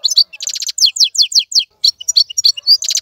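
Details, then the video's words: Brief burst of European goldfinch song from a wild-caught bird in a cage, dense bright twittering with repeated downslurred chirps and tinkling notes, a short pause, then more rapid twitters. "مقنين خلوي يغرد بصوته النظيف, تغريد حسون بري دون توقف"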